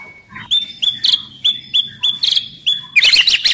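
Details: Aggressive, loud white-rumped shama singing to spur other shamas into singing and fighting: a clear high whistle repeated about three times a second, each note ending in a short bright flourish, then a dense burst of chattering notes.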